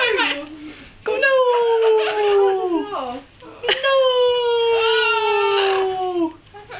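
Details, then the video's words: Amazon green parrot kept indoors as a pet, making noises: two long, drawn-out wailing calls of about two seconds each, slowly sliding downward in pitch with a rich, nasal tone, separated by brief rougher sounds. "amazon green parrot making noises"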